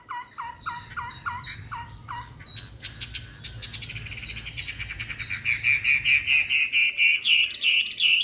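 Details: Three-month-old white-rumped shama, newly brought home and not yet bathed, singing persistently near Hanoi, Vietnam: a run of clear, evenly spaced rising notes, then a busy mixed passage ending in rapid, loud repeated chips.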